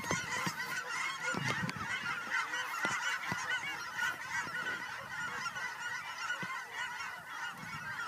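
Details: Geese coming home to Fern Ridge on March 4, 2012, recorded on a quiet walk. A dense chorus of overlapping nasal honks runs throughout, with scattered sharper clicks and knocks.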